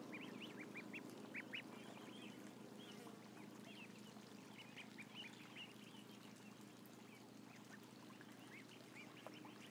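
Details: Ducklings numbering about a thousand give sharp, high chirps in irregular clusters, many overlapping, the chorus loudest at the start and thinning slightly later, over low steady noise.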